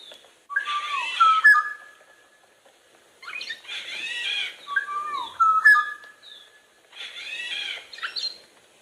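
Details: Black-naped Oriole song played in class to illustrate the bird in the poem 윤사월, called very clear, clean and bright: three loud fluting whistled phrases with slurred notes, each about three seconds apart, separated by silence.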